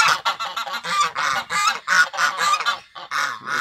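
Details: A pair of African geese kept as guard birds on a rural property in Brazil, raised to raise the alarm at arrivals, give loud harsh honks in rapid succession, about a dozen strident blasts in under four seconds, with a brief gap near the end.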